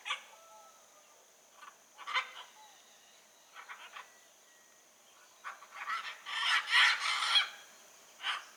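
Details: Blue-and-yellow macaws in natural surroundings: brief gravelly squawks early on, then a loud grating burst of overlapping screeches, with thin whistled notes of other birds at the start.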